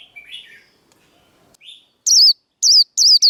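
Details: Vietnamese líu đấu fighting song of a white-eye, meant to rouse rival birds. Soft lower chatter leads into four loud, high, sharply bent whistled notes given in quick succession.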